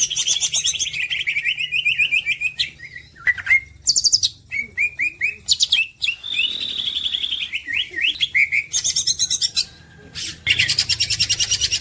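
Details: Green leafbird masteran song: varied bursts of very high, fast trills alternating with sharp chirps and short whistled slurs, in a busy and constantly changing sequence.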